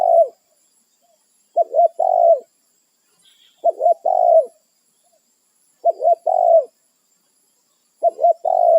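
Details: Territorial wild spotted dove calling its companions, repeating a cooing phrase of two short coos and a longer falling note about every two seconds, five phrases in all, with a brief faint chirp in between.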